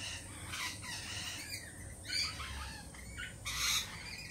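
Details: Lorikeets on edge after a Peregrine Falcon attack earlier that week: loud, harsh, broadband screeches in several bursts, with a few thinner squeaky notes between them over a constant hiss.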